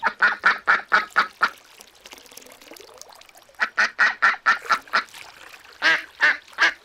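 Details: Ducks quacking loudly in a fast series of nasal calls, a pause of about two seconds, then two more quick runs of repeated quacks.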